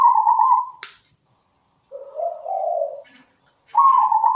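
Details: Zebra dove singing with a melodious voice. A higher trilled coo, a brief click, a long pause, then a lower bubbling coo that rises slightly, and finally a return to the higher vibrating trill.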